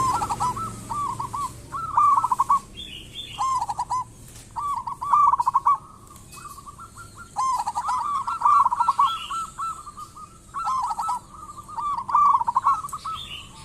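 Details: Lure recording of a local zebra dove singing: repeated trilled coo phrases about every two seconds, a loud rolling burst in the middle, faint high chirps of another bird between phrases.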